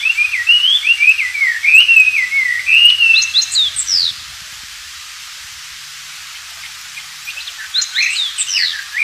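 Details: Wild Oriental magpie-robin singing lively: a wavering whistled phrase around mid pitch for four seconds, a pause, then a cluster of sharp rising and falling high whistles; the song is used to train white-rumped shamas.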